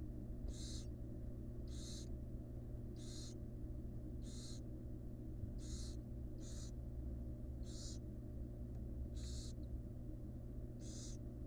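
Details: Wild barn owls, a mother resting with her offspring in a nest box; a long, steady run of short rasping hisses about once a second above a faint low hum.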